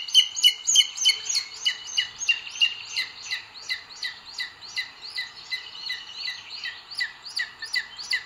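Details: Male booted eagle bringing food to the female at the nest, Sierra de Guadarrama National Park, Spain, 2 June 2022, caught by a live camera. A long, excited chatter of shrill, downslurred whistles repeats about three times a second.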